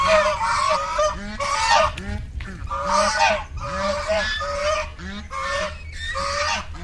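Black swans give loud, nasal honking bugles in bursts roughly every second, several birds overlapping, over a low background rumble.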